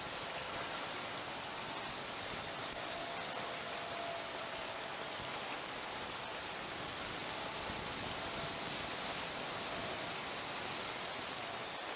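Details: Steady broadband hiss like rushing wind or water fills the recording, with no animal calls heard.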